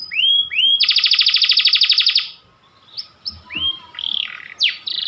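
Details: A panda-variety canary, white, delivers two rising whistled slurs and then a rapid buzzy trill of about twenty pulses over a second and a half. After a short pause come softer scattered whistles and swoops.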